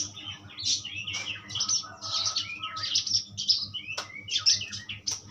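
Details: Asian pied starling, given as a strong tutor recording, delivering a busy jumble of high chirps, whistles and raspy notes with a sharp click near the end, against a steady low droning hum.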